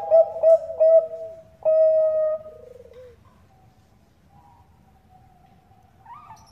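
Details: Bangkok zebra dove, a female calling the male for luring: three loud, quick coos, then a long mellow held note tailing into a low trill, followed by near silence with faint distant cooing.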